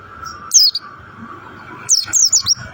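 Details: Mountain white-eye, or montanus, singing its rock-and-roll style in short, high, descending twittered phrases over a steady humming tone.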